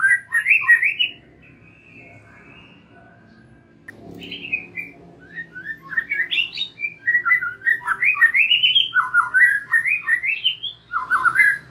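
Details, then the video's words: White-rumped shama song serving as a lure for young and wild-caught shamas so they sing out: a short opening phrase, a quiet gap with a faint click, then a long stream of looping, rising and falling whistles. "Pancingan MURAI BATU BAKALAN dan MUDA HUTAN agar NGEPLONG"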